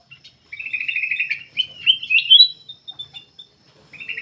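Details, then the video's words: Black-capped bulbul kept as a cage bird, singing continuously to prompt other birds to sing: a rapid buzzy trill, then rising slurred whistles and a few soft notes, with a faint steady high hum behind. "KUTILANG EMAS \ CUCAK EMAS GACOR FULL GACOR sangat bagus buat pancingan \ pikat"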